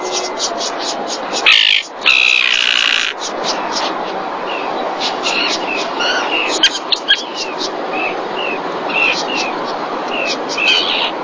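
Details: Common terns at a nest in Marismas Negras, Astillero, Cantabria, Spain, during the 2021 breeding season, with a fish brought to the mother. Harsh rasping bursts open the recording, then many short, sharp chirping notes repeat throughout over a steady background hiss.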